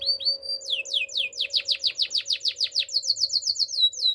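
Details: Spanish Timbrado canary singing for training. Rising notes lead into a rhythmic series of clear descending whistles repeated about four times a second, then quicker, higher sweeps. A faint low hum sounds throughout.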